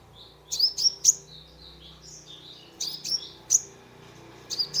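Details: Sunbird song used as a lure to soothe a stressed caged bird: very high, thin twittering notes and sharp chips in short clusters, with brief pauses, over a faint low hum.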